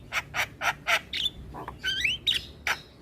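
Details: Asian pied starling song played each morning as a model for young birds to learn from: harsh broadband chattering bursts alternating with a few whistled, rising and falling notes.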